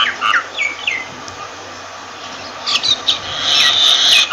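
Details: Myna giving several slurred, downward-sliding notes, a quiet pause, then louder chirps leading into a sustained harsh, grating screech.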